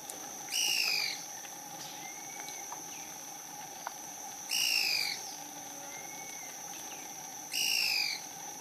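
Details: Yungas tody-tyrant at San Juan del Oro, Putina Punku, in the bamboo of a yungas valley in far southern Peru. Three descending, slurred whistled notes about three seconds apart, each lasting under a second, over a steady insect-like hum.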